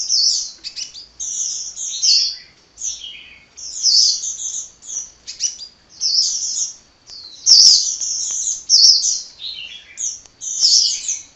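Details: Hummingbird in sustained, relentless chatter: about a dozen bursts of shrill, high twittering and squeaky slurred notes, each under a second, with short pauses between and a couple of sharp clicks. Quiet background.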